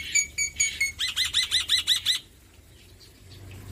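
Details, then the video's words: Male black-winged myna singing loudly: a few sharp high chirps, then a quick run of about seven repeated looping whistled notes that stops abruptly, leaving quiet background. "Masteran Jalak Putih Jantan Gacor Suara Keras"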